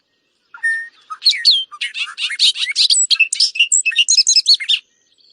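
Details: Bobolink song that starts simple and then gets very complicated: a few simple opening notes, then a rapid, bubbling cascade of metallic, tinkling, jumbled notes lasting about four seconds; finding: Bobolink.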